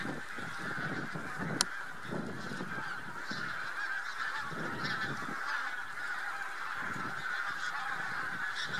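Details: Huge flock of Bean Geese mixed with some White-fronted Geese on spring migration near Lubiń, Trzemeszno, central Poland, early March 2018; dense unbroken chorus of overlapping honks and cackles, with low rumbling wind or handling noise underneath.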